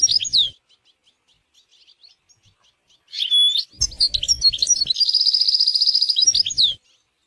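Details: European goldfinch in natural surroundings: scattered soft chips, then a loud burst of liquid twittering flowing into a long rapid buzzy trill lasting about two seconds, closed by sweeping slurred notes.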